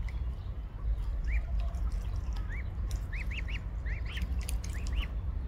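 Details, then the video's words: Peeping of mute swan cygnets during a sunny family outing, short arched whistles rising and falling, often in runs of two or three close together, above constant low-pitched ambient noise. "sounds of cygnets"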